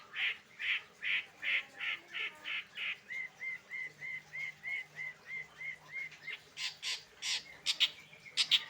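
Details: Long-tailed shrike (cendet) singing in the late afternoon: a run of harsh, buzzy notes about every half second, then a quick series of thin, even chips, ending with sharp higher squeaky notes.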